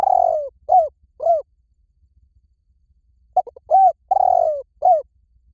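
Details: Repeated coo phrases from a spotted dove, soft hollow notes starting with a long descending coo then shorter clipped hoots, a pause, then a second similar phrase with quick stuttering lead-in notes.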